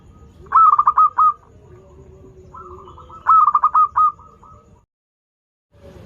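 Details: Eagerly singing local zebra dove used to draw learning birds into song: two phrases of rapid, stuttering coos a few seconds apart, each ending in a drawn-out fading tail, quiet otherwise.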